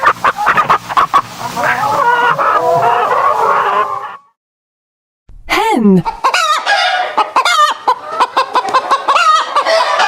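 Turkeys gobble in fast, rattling bursts, then fall silent before a swooping squawk and more overlapping gobbles from several birds.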